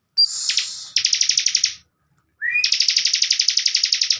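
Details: Caged bar-winged prinia (ciblek bren), kept as a master bird for teaching young contest birds, sings a thin rising whistle, then a fast buzzy trill of evenly repeated high notes. After a brief pause a second trill begins with a short upslurred lead-in.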